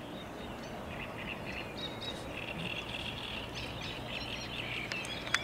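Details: Eurasian reed warbler singing at Lake Czerniakowskie, 24 May 2021. Low-volume, continuous scratchy chatter with brief churrs and a couple of sharp ticks near the end, set against a steady hiss.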